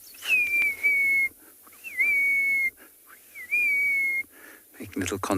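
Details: Baby francolins walking through grass with their parents on a still, windless afternoon with odd spitting rain at Tswalu Kalahari Reserve, South Africa, on 5 October: three clear, high, slightly falling whistled peeps about a second apart, ending in brief rustling.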